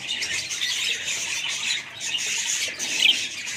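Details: A short burst of budgie chatter, with steady high squeaky twittering from several birds and a sharper chirp near the end.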